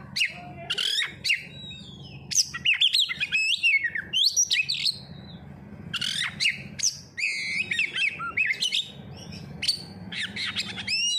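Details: Magpie-robin (kacer) song played as a lure to make birds sing: about eleven seconds of loud, varied phrases of whistles, sharp chips and twisting notes in quick bursts with short gaps, over a low steady hum.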